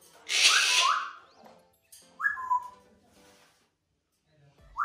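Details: Male African grey parrot, 18 months old, kept indoors in Melbourne, Australia, as a new housemate who is starting to talk; short swooping whistles that rise then fall, repeated three times, the first over a brief hissy burst.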